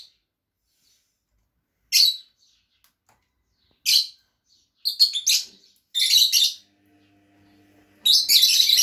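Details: Two pet Fischer's lovebirds calling with isolated shrill chirps that build into denser, harsher chattering bursts toward the end, over a faint steady hum.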